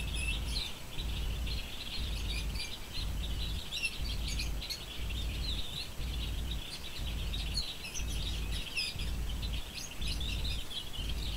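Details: Bird chirping: a continuous flock-like chatter of quick high chirps and squeaky tweets, over a heavy, rhythmically throbbing low rumble that dominates the background.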